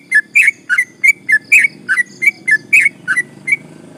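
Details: Lively sooty-headed bulbul delivering long 'ropel panjang' song meant to provoke rival birds: steady string of short, fluty, slightly buzzy notes, some doubled, roughly three per second with faint background hum.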